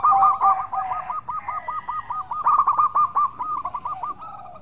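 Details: Melodious zebra dove of a local strain, used to lure others: a long unbroken run of quick, evenly spaced rolling coo notes, loud and mellow, easing slightly toward the end.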